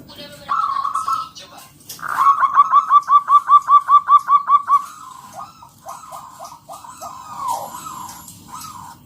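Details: Loud local zebra dove (perkutut lokal) from the wild, singing a lure song to prompt other doves to sing: a short coo, then a fast run of about twelve clipped, evenly spaced mid-pitched notes, followed by looser, slower cooing phrases.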